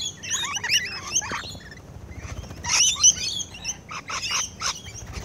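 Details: Rainbow lorikeets at close range while feeding: clustered shrill screeches and high chattering notes in two loud bursts, followed by quicker scattered chirps, over a low hum.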